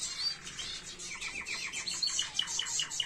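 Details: Canary tutor song for young birds: a jumble of rapid, high, scratchy twittering notes with short whistled accents, somewhat uneven in rhythm.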